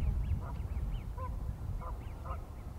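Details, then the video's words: Pied-billed grebe calling while swimming: a steady run of short, arched, hollow notes about every half second, some rising and falling, over a heavy low rumble of wind or water noise. "Pied-billed Grebe Swimming & Calling"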